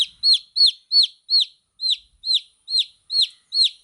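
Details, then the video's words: Baby chicks calling with nine loud, piercing downward-sweeping peeps in under four seconds, evenly paced and clean against silence. "Cute Baby Chicks Chirping Sound"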